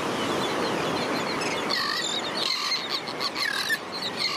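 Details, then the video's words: Juvenile royal terns begging for food from parents in a mixed tern colony on St. Pete Beach, St. Petersburg, Florida: persistent high, thin, piercing cries, some briefly slurred downward, over steady surf and wind. "ROYAL TERN JUVENILES BEG FOR FOOD"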